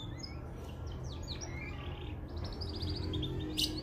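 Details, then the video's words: Mosaic canary training song: falling whistled notes, then a fast even trill of repeated chirps, over a low background hum. "Canary Singing Full training vedio"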